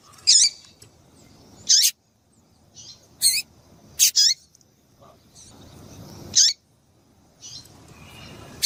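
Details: Female double-collared seedeater calling to stimulate males: clipped, bright high chips and doubled notes at uneven gaps of one to two seconds, with quieter softer notes between and light background hiss.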